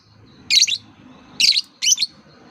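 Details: Lovebird sound meant to prompt young birds still learning to sing: three sharp, high chirp bursts, two close together near the end, over a faint low background hum.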